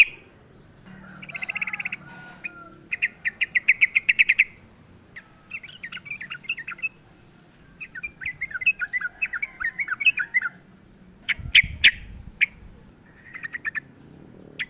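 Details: Wild sooty-headed bulbul in fighting mode, used as a lure: bursts of rapid chattering notes near one pitch, some runs of a dozen quick chips, with pauses between phrases and faint low background rumble.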